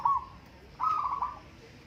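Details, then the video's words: A local zebra dove singing in a contest gives a brief trilled coo, followed after a pause by a longer rolling phrase of quick soft notes. "Burung perkutut lokal adu suara"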